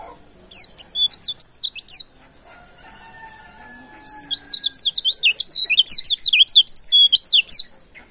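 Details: Oriental white-eye of the wild ngalas type, recorded as a lure to attract others: a short twittering phrase, a quiet gap, then a long rapid run of high sweeping whistles and chirps, with a steady high tone behind.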